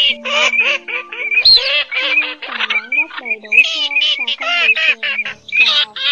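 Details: Terns calling in a lure recording used to draw migrating birds into nets at night, August 2023: dense overlapping harsh, squawky calls with rising and falling inflections, repeated rapidly with hardly any pause, and lower nasal notes beneath.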